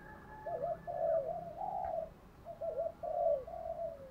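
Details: Spotted dove used as a decoy to draw in other doves, giving a steady series of mellow, wavering coos over a hissy background, with no loud accented notes.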